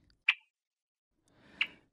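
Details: A female Red-winged Blackbird, a nesting bird on Vancouver Island, British Columbia, gives two sharp, dry 'check' alarm notes about a second and a half apart, with quiet in between.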